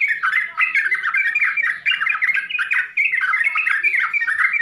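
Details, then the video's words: Sooty-headed bulbul, called trucukan, in full varied song: a rich run of bubbling, warbled phrases with rising and falling notes, continuous with short pauses, in a quiet setting. "SUARA TRUCUKAN FULL ISIAN UNTUK PEMULA DIJAMIN LANGSUNG NYAUT, TRUCKAN SOUND FULL CONTENT"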